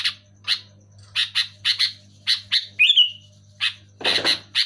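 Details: Sooty-headed bulbul, loud and clear, intended to trigger song in silent caged bulbuls: a rapid series of harsh doubled chips, a short bright whistled slur midway, then more chatter with a brief rustling noise.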